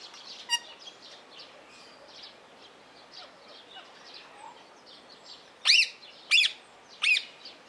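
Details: Blue-mutation rose-ringed parakeet kept at Opole Zoo: faint scattered chatter, then three loud, harsh, grating screeches roughly two-thirds of a second apart near the end.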